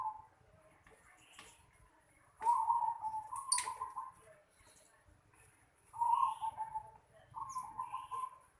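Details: Soft purring coos of a zebra dove in a house yard, in separated phrases a few seconds apart, each a rolling trill of notes, with faint high chirps from other birds.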